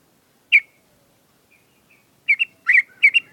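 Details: Caged sooty-headed bulbul during morning dew and sunning therapy: a single bright chirp, a pause with faint notes, then a quick run of bubbly, warbled double notes near the end.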